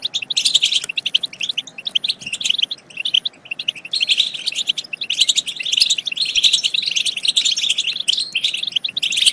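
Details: Goldfinch song meant to spur other goldfinches into singing and mating, an almost unbroken stream of bright, high twittering notes with brief dips in intensity.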